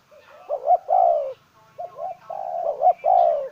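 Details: Cooing of a decoy spotted dove: two phrases, each of short upward notes leading into a sustained mellow coo, with light chirps from other birds.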